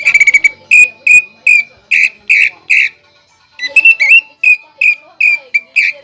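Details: Greater green leafbird in full song laced with mimicry of the pelatuk bawang (flameback woodpecker), a style sought by contest judges: a fast dry rattle, then loud slurred whistles repeated about three times a second, a pause, more whistles and a wavering note.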